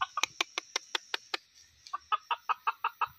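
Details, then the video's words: Junglefowl, with the sound used for luring the birds in trapping: loud, sharp clucking notes in a fast series of about eight, a brief pause, then another run of evenly spaced clucks at a slightly lower pitch. "Ayam hutan,pikat ayam hutan"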